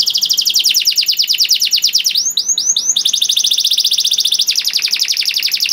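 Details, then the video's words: Continuous canary song for schooling young canaries: a fast buzzy rolling trill, briefly broken by a few looping whistles, then resuming at a steady rapid pace. "KENARI GACOR PANJANG CENGKOK ISTIMEWA COCOK BUAT MASTERAN KENARI PAUD || VOICE OF CANARY"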